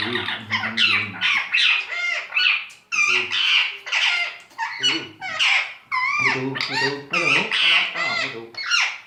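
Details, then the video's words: An Indian talking parrot mimicking human speech, giving quick runs of nasal, speech-like syllables in short phrases separated by brief pauses, with no other clear sounds. "Best Indian talking parrot"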